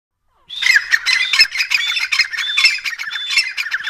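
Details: A pair of grey francolins of the dakhni type, calling together: harsh, rhythmic squawking phrases with a strained, grating quality, repeated rapidly in overlapping bursts after a brief silence.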